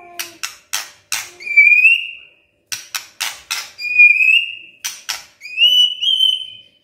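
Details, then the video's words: Murai batu, the white-rumped shama, in kretekan style meant to stir up emotion: runs of sharp dry cracking clicks, each followed by a long high pure whistle that rises slightly, repeated three times. "KRETEKAN MURAI BATU pendongkrak EMOSI✅✅ shama bird✅"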